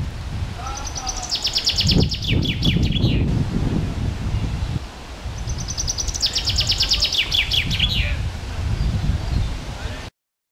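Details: Adult male common chaffinch singing emphatically on the Isle of Saint-Aubin, Angers, Pays de la Loire, France, 6 May 2011; two bright descending rattling phrases about five seconds apart, ending in a flourish, over steady low rumbling wind or traffic noise.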